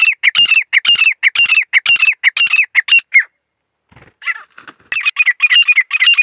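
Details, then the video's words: Grey francolin gives a loud series of shrill, grating calls, pauses for about a second, then resumes with a softer rough note before the strident run continues. "teeter birds 🐦 grey partridge 🐦 songs"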